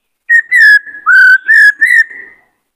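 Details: Continuous whistled phrasing from a white-cheeked laughingthrush, a many-voiced song used to fire up male birds: five loud, smooth, slightly wavering whistles run together with barely a break.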